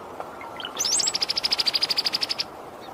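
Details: Brown-headed cowbird (Molothrus ater): a few thin whistled notes, then a fast dry rattle of about sixteen sharp, high clicks at an even pace, ending abruptly, over faint background hiss.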